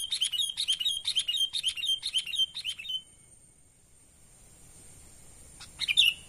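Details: Sooty-headed bulbul natural call used to lure wild birds: a fast series of about seven bright, chirpy notes repeated roughly twice a second, then quiet, then a short burst of sharp chirps near the end.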